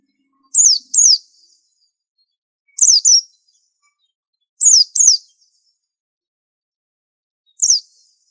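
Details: Masteran song of a 'super antik' pleci (white-eye): short clusters of one or two bright, high falling whistles, spaced about two seconds apart, four clusters in all, crisp against near silence.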